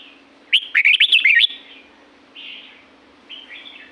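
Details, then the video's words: Red-whiskered bulbul, La-U forest in Thailand, in nature: one loud jumble of fast, bouncing whistled notes, followed by softer slurred notes and a faint low hum. "เสียงนกกรงหัวจุก จากป่าละอูแท้ๆ เสียงดี เสียงเพราะ จากธรรมชาติ"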